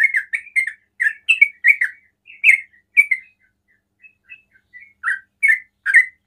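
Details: A sooty-headed bulbul delivers ropel-style song, meant to draw other bulbuls into calling. Quick chattering notes come in a burst, break off briefly with a few soft faint notes, then resume loudly.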